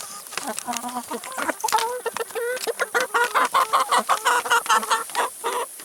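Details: Several chickens feeding on salad and vegetables; short rising clucks quicken into a steady pulsed run of loud, even notes near the end, mixed with pecking clicks.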